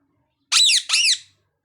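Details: Two grating parrot cries in close succession, both arching downward, against a silent background.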